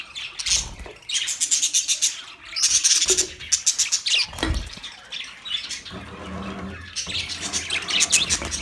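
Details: Budgies chattering with fast, raspy high chirp trains, joined by a deep thump and some low scratching or pattering in the middle of the passage.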